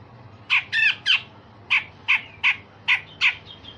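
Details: Grey-cheeked bulbul (cucak jenggot) with rough rasping song used to train other songbirds. Three harsh, grating notes start the phrase, then six spaced, sharp rasping shots, each about a third of a second apart.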